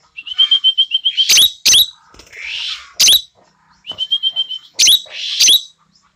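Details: Tame, frequently singing Asian glossy starling, a red-eyed black bird with a distinctive clear, shrill voice, kept as a master bird for tutoring others: runs of quick clear whistled notes on one pitch, broken by harsh, loud, shrill screeches, repeated twice.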